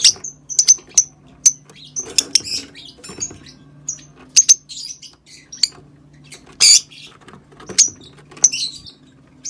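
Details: Rosy-faced lovebird calls meant to stimulate mating: short, piercing high chirps and clicks, spaced irregularly, sometimes in quick pairs, with a few harsher bursts over a quiet background hum.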